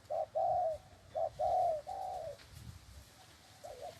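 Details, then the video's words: Spotted dove, tethered by the leg, delivers spirited cooing: paired short-then-long hollow coos in a quick run, trailing off into a softer final coo against a quiet background. "Tiếng Chim Cu . Cu Gáy Xích chân Gù thật máu"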